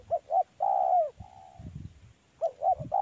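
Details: Two short coos lead into a long, falling coo from a spotted dove in a mango orchard. A quieter level note and a pause follow, then the short notes start again.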